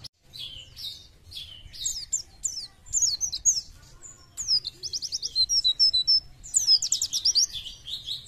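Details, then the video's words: Fit Oriental white-eye singing loosely: a long, high, rambling twitter of thin chirps building into rapid trilled bursts of evenly spaced notes, with a quiet low hum underneath. "PLECI JOSS ..BUKPAR KEREN..FIT NGICAU LOSS"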